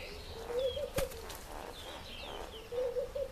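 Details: African green pigeon among a group of about eight foraging for fruit in a nectarine tree; two short wavering, fluty low phrases, one near the start and one at the end, with a sharp click between and faint higher chirps behind.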